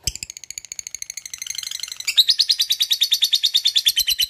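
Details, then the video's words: Lovebird used as training bait to get other lovebirds singing readily and doing ngekek: a fast, steady series of sharp chattering notes that grows louder and denser about halfway through, then runs on evenly. "LOVEBIRD bahan agar rajin bunyi dan mau ngekek"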